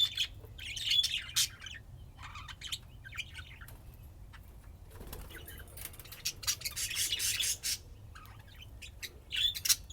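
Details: Budgerigars playing: bright chirps at the start and end, separated by bursts of fluttering wingbeats and scratchy rustling, with a harsh noisy stretch in the middle.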